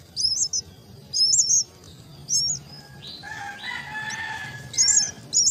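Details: Myna chicks fed at their nest give short, harsh high squeals in bursts about a second apart, broken midway by a lower, harmonic chattering call.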